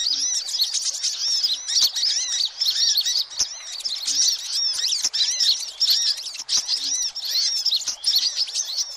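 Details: Busy hummingbird chatter meant to attract every kind of hummingbird: a steady wall of sharp, very high squeaky chirps and looping twitters, with occasional soft low ticks.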